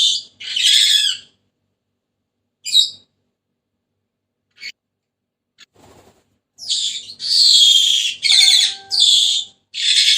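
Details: Senegal parrot producing a few scattered rasping squawks, then a run of loud, grating screeches near the end, over which a thin steady whistle-like tone briefly sounds.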